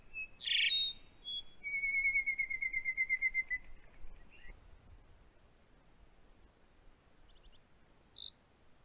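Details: Rufous songlark during breeding time, Australia: a sharp note, then a rapid metallic rattling trill of repeated notes lasting over a second, with a brief high burst near the end.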